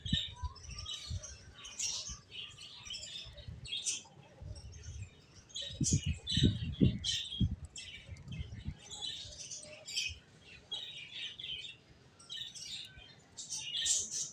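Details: ['Finches chirping continuously: many quick, high chirps overlapping, with bursts of low fluttering and thumping from moving birds.']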